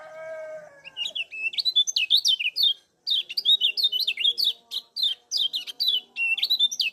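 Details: Lemon-bellied white-eye (kecial kuning), Lombok, calling busily as a lure to stimulate other birds: fast strings of thin, high chirps and twitters. A short low, harmonic drawn-out sound opens the recording.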